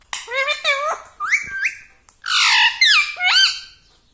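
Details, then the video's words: Indoor pet ring-necked parrot talking, a quick string of squawky, harmonic-rich syllables with rising and falling glides, some held flat, filling the whole recording. "Talking parrot || mitthu mitthu || tota || Bolne wala tota"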